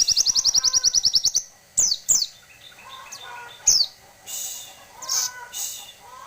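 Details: Grey-cheeked tit-babbler giving a rapid series of high repeated notes that ends after about a second and a half, then sharp falling chips, softer lower warbles and hissy bursts.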